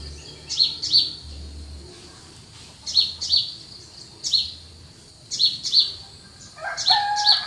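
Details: Cool countryside at early morning, birds repeating quick high double chirps in bursts every second or so, with a lower warbled note near the end and faint rumble behind.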